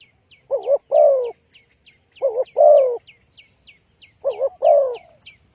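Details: Spotted dove lure call used for trapping: three paired cooing phrases, a short double 'coo-coo' then a longer, drawn-out falling 'crooo', repeated about every two seconds, over a steady series of thin, high, downslurred chirps from another bird.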